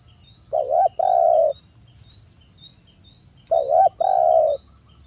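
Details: Spotted dove call used as a lure to stimulate calling: a paired phrase of a short bent coo followed by a longer level coo, repeated twice about three seconds apart, in a calm, quiet setting.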